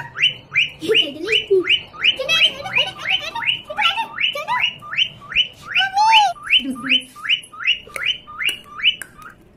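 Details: Pet parrot in a home, at play with a baby: steady rhythm of short upward squawks, about three per second, with a lower warbling call and one looping squeal mixed in.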